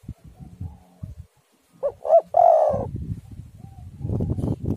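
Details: Spotted dove singing, played to lure and prompt other doves to sing; one phrase of two short notes and a long rolling coo, framed by low rumbling stormy wind.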